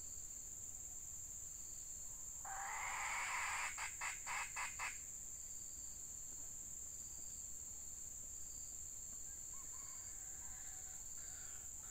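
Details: Red junglefowl recorded in rainy weather where a hen is used as a decoy: a loud, harsh, raspy burst lasting about two seconds breaks into a short run of rhythmic pulses, over a steady high insect drone.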